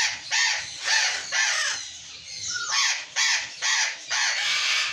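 A burrowing parrot gives harsh, raspy screeches, repeated about twice a second in bursts, with a higher rising squawk from a second bird between them.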